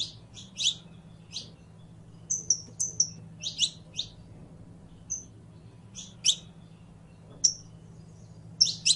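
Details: A criollo canary, the saffron finch, sings bouts of sharp high chips mixed with level thin whistles, clustered irregularly across nine seconds, one brief click, and a low background hum.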